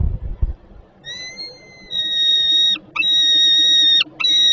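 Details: Young peregrine falcon, hungry, calling from the landing beneath the nest at Żerań, Poland, on an August evening in 2022. Thin, steady whining notes build into long, even screams broken by short gaps.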